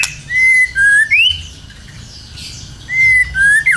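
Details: Two bursts of clear, sweet whistles from a white-rumped shama, a lure song meant to set other birds singing: level and gently rising whistled phrases, the second ending in a twisting flourish.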